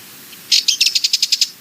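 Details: Sardinian warbler giving a short, fast rattle of around ten dry, clicking notes under one second, high and even, with a faint soft note just before it starts.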